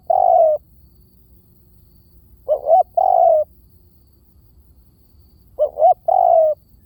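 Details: Spotted dove giving a decoy-style call: a lone drawn-out coo opens, then two phrases follow about three seconds apart, each two short rising hoots and a longer, gently falling mellow coo; quiet background.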